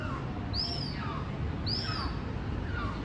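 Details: A young black-billed gull (Tarapuka) in New Zealand gives two thin, high whistled calls about a second apart, each flicking up then sliding down, over a steady low rumble and faint distant calls.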